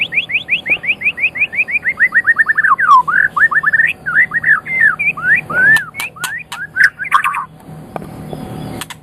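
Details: White-rumped shama of the Medan type delivering a fast series of repeated down-slurred whistled notes, which then breaks into varied looping phrases with a few sharp clicks before fading.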